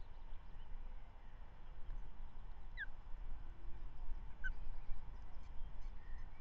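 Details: Osprey female feeding the first Manton Bay chick of 2023 on a May morning, following a trout delivery by the male; two brief descending whistled notes, the first softer, amid heavy low background rumble.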